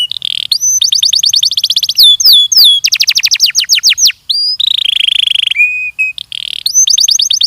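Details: Varied Belgian canary song for training: buzzy trills, rapid rolls, swooping whistles and flat sustained notes follow one another without pause.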